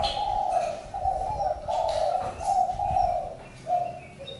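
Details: Spotted dove repeating short, throaty coos in a steady string, ending with two brief lighter notes; faint bird chirps and background hiss throughout.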